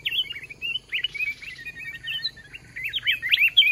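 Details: Red-whiskered bulbul at a decoy trap contest; flowing warbled whistles in linked bouncing notes, a slightly softer middle section, then a louder rapid burst of rising chirps at the end.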